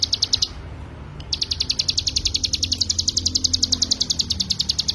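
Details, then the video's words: Mountain prinia (ciblek gunung) in full, nonstop 'ngebren' song, used as a tutor recording for other songbirds: a fast, even train of high, sharp notes, about three and a half per second, after a short opening pause. "CIGUN GACOR FULL NGEBREN"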